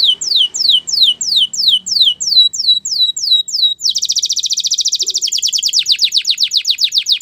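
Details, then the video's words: Canary song of falling whistled sweeps, about two per second, changing into a dense, rapid buzzing trill. "Canary's most powerful song for training | Canary sounds"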